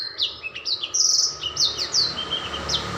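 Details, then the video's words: A young Black-throated Canary, with its song becoming loud, sings a fast, continuous, high twittering song of sweet chirps, slurred whistles and brief trills, over a faint steady hum. "Merdunya nyanyian burung Blackthroat"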